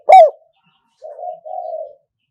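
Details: Spotted dove kept as a trapping decoy at an old-style pen trap: a single loud, hoarse downslurred coo followed after a short pause by two soft, low, drawn-out coos.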